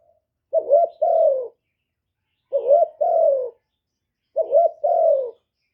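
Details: Decoy spotted dove kept to call in wild doves, giving three evenly spaced coo phrases about two seconds apart. Each is a quick double note followed by a longer, falling, throaty coo, clear against a silent background.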